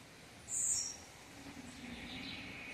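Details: Blue-black grassquit in its 'campainha' or bell-style song: a single sharp, very high buzzy note, quickly over, followed by quiet background hiss.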